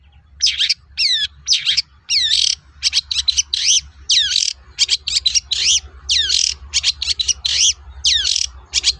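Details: Lively long-tailed shrike song, played as a lure so other shrikes answer: sharp downslurred whistles alternate with scratchy chattering bursts, about two phrases each second, with a faint low hum underneath.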